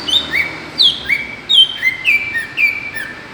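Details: Greater green leafbird lure sound, used to provoke other birds: clear whistled notes, each sliding down sharply then holding a steady tone, about eight in three seconds, alternating higher and lower pitch over a quiet background.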